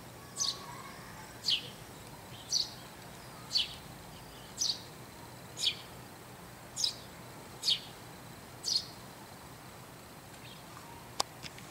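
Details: A lone Eurasian tree sparrow perched on a tree branch on a cold winter morning calls insistently, giving about nine short, high chirps, roughly one each second, over a faint steady hiss.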